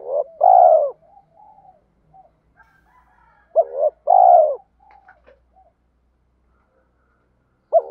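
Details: Spotted dove decoy voice meant to provoke males into singing contests. Two full low phrases, each a broken double coo then a long falling note, plus the start of a third. Quieter cooing murmurs fill the gaps.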